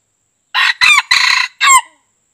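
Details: White-eared red junglefowl crow used as a trapping lure: a harsh, broken crow in four quick segments over about a second and a half, the last note drawn out and falling, with a quiet background.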